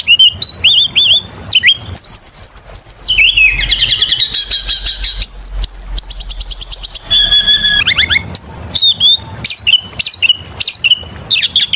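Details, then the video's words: Oriental magpie-robin in rich continuous song used to lure other birds: rapid varied whistles, sweeping slurred notes, fast trills and dense chattering passages, then sharp squeaky notes in quick succession. "PANCINGAN SUARA BURUNG KACER GACOR SUARA NGEMPLONG PARAH"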